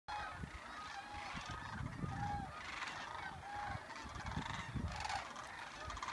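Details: Flock of sandhill cranes migrating south at Creamer's Field on 25 August 2014, calling together loudly, rolling, trumpeting rattles overlapping with no break, over a low rumble of wind.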